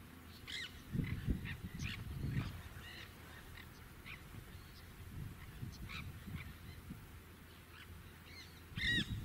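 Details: Nanday parakeet (Aratinga nenday), a conure, calling with repeated harsh, screechy squawks in short scattered bursts, louder again at the end, over a steady low rumbling background noise.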